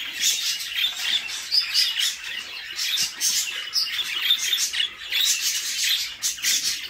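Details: Budgie babies begging while their mother feeds them in the nest box, a steady wheezy, scratchy chatter of quick pulses with occasional thin squeaks, waxing and waning every second or so.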